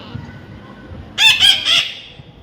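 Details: Baby pet parrot giving three loud, harsh screeches in quick succession after a soft, low call, with a person nearby.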